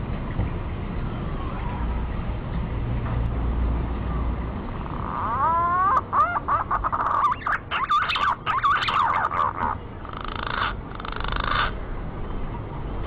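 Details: Quiet male green pigeon song used as a lure: after several seconds of hiss, rising harmonic whistles lead into a rapid warbling burst, then two short harsh phrases.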